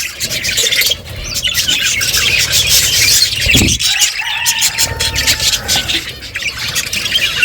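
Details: Colourful budgerigars chirping while eating seeds: a dense, loud wash of overlapping high squeaky chirps and chatter from several birds, with a brief flutter-like burst midway.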